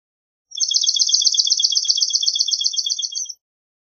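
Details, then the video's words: A swamp sparrow sings a single continuous trill, many fast, identical bright notes held at an even pace for almost three seconds, with nothing else audible. "Swamp Sparrow Song! Swamp Sparrow Call! Sound, Chirp - Gorrión Pantanero Canto - Melospiza Georgiana"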